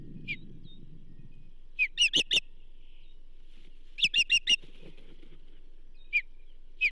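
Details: At the Charlo osprey nest, 29 May 2024, the banded female receives a whole whitefish: rapid runs of three and four piping chirps separated by pauses, then isolated single whistles, with low rumbling early on.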